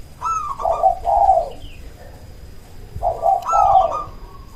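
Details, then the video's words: Local zebra dove (perkutut) cooing to stimulate other doves to reply: two phrases about three seconds apart, each a brief higher note sliding into lower throaty coos, over faint low background noise. "Perkutut lokal gacor RAJA PIKAT ahlinya bikin semua burung perkutut lain gacor nyaut"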